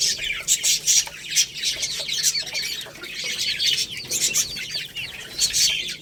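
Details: Young Lohmann Brown chickens eating rice, a little rooster and a baby hen, chirping shrilly in dense overlapping bursts over constant pecking clicks.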